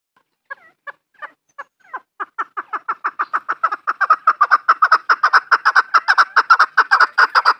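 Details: Farm-raised chukar partridge calling: clucking notes begin slowly and sparsely, then speed up and grow louder into a fast, steady run of about two to three chuck notes per second.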